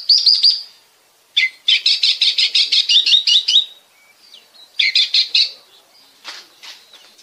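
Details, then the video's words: Lure song of an Oriental magpie-robin from Bekasi, meant to prompt other birds to sing: fast runs of sharp, high repeated notes in bursts of a second or two, with brief silent gaps. "pancingan suara kacer"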